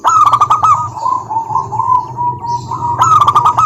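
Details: Song of a local wild-type zebra dove used as a lure for quiet doves: a crisp burst of quick coos, a long soft warbling roll, and a final staccato burst, with a low hum throughout.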